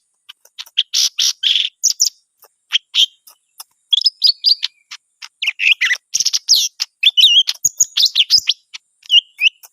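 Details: Greater green leafbird singing in bursts: scratchy chattering notes and short clicks, then rapid twisting whistled phrases, loud segments separated by brief pauses.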